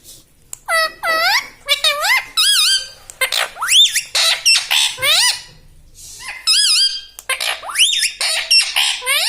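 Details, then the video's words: Pet parrot talking almost continuously, with dense, squeaky, rising and falling syllables, fast strings of chatter and brief pauses between phrases. "Talking parrot || mitthu mitthu || tota || Bolne wala tota"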